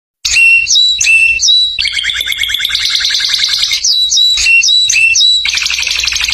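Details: A canary in a song contest sings loud, bright tours: clear whistled notes repeated in quick pairs, broken by long rolling trills, with no other sounds.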